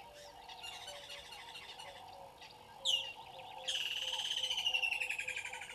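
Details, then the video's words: At a waterhole on Gowrie dam in South Africa's Sabi Sand Wildtuin, on a December 2021 morning with waterbucks present, a water thick-knee gives one high note, then a fast, piping, descending string of whistles over constant low chirring. "Water Thick-knee"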